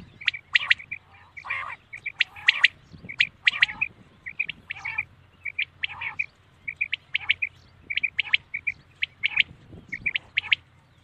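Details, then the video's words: Night calling of common quail: a long run of quick, clipped triplet notes, high and bright, repeated almost continuously, interspersed early on with a few rougher, nasal squawks and sharp ticks. "Common quail sound best awaz night"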